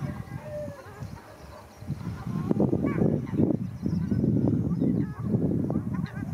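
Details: Fighting ruddy shelducks recorded at Arucas, Gran Canaria, 13 February 2021; scattered nasal honks grow busier after a quieter start, with loud flapping and splashing throughout.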